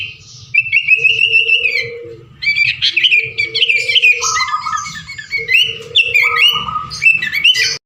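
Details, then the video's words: Lively song of a sooty-headed bulbul, played to encourage other birds to sing; varied whistled and warbled phrases in bursts separated by brief gaps, with a steady low droning tone throughout. "suara burung kutilang keboh ful gacor cocok buat pancingan"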